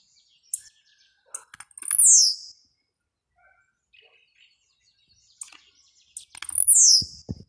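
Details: Blue-black grassquit, a kept bird, delivers two loud high buzzy phrases that rise then sweep down, about four and a half seconds apart, each preceded by sharp clicks and ticks in near-quiet surroundings.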